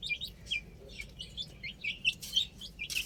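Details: Short clip of chicks on a roof: a handful of separate, high, downslurred peeps spaced roughly a quarter-second apart.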